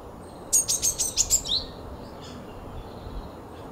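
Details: Japanese Tit: a quick burst of about six very high, sharp notes within one second, ending in a slightly lower note, followed by faint thin calls over a steady low background hum.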